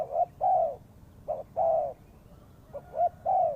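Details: Spotted dove call used as a lure for trapping: soft, low coos, short clipped notes each followed by a long smooth coo, in phrases separated by short pauses.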